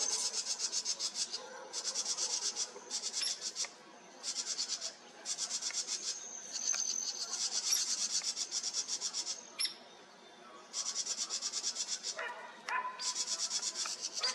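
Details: House wrens in a nearby tree in July 2023 scold with harsh, rasping chatters in bursts of about a second, sounding alarms at a red fox sitting close by.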